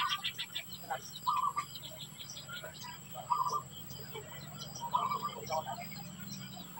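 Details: Society finches around hatching time, giving a few short buzzy trilled notes about every two seconds among soft scattered chips, over a faint steady hum.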